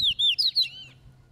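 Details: Loose double-collared seedeater in caveirão song training: three or four clear, drawn-out whistled notes sliding downward, loud and pure, fading out within about a second.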